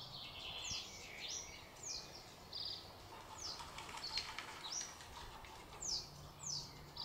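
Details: Common reed bunting recorded from a bird hide at Spookverlaat, a polder nature area near Alphen aan den Rijn, Netherlands, giving short, simple high phrases of chirps and sharp down-slurred notes, repeated irregularly over soft hiss.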